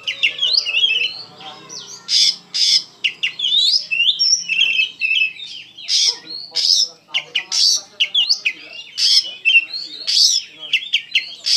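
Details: Kacer, the Oriental magpie-robin, in full, emotional ngeplong song: long varied whistled phrases interrupted by loud, abrupt high notes, with some lower harsh buzzy sounds underneath.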